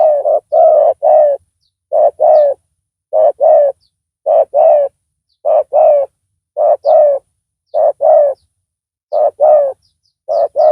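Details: Spotted dove calling while a decoy bird lures a rival; steady run of low coo phrases, mostly a short note then a longer coo, repeated roughly every second, with occasional thin high chirps.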